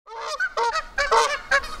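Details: Angry Canada geese in Victoria Park, Kitchener, Ontario, threatening an approaching person: loud, harsh, nasal honks in quick bursts, several overlapping calls with rich buzzy harmonics, followed by a man pleading "no no".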